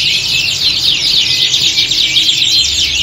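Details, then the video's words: Canaries trained for singing competition, several birds singing together in a contest-like setting: a loud, dense, continuous torrent of fast trills and rapid chirps, overlapping voices with no pauses. "Kicauan Squad Kenari Siap Gantang!"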